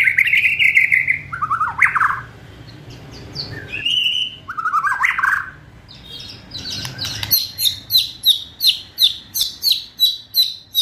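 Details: Fierce kretekan song of a White-rumped shama, meant to stir emotion and hasten full singing: loud slurred whistles and warbles, then a fast run of sharp crackling notes repeated about three times per second.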